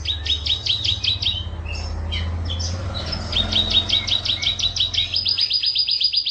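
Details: Canary singing in the energetic gacor isian style: rows of sharp, high chirped notes repeated in quick trills, broken by a brief pause and looser notes, then a steady high buzzing trill; a low hum runs underneath.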